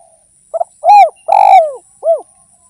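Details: Zebra dove, called derkuku or tekukur locally, singing a lure song: short coos near mid pitch, a loud rising-falling coo, a long pulsed rolling coo, then a final short coo, all clean with no background.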